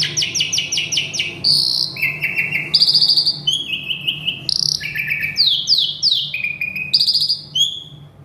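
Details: Agitated male Asian pied starling, described as having a full repertoire including alarm sounds, mimicry of a pempek seller, polyphonic notes, prinia calls and cockatoo talk. Loud, varied phrases of clear whistles and buzzy trills shift pitch from note to note.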